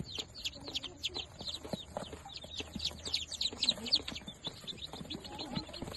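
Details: Fifteen newly hatched, day-old chicks of the pure Darag native chicken breed, kept together; a dense, constant chorus of high, thin peeps overlapping rapidly throughout, with a few lower clucking notes underneath.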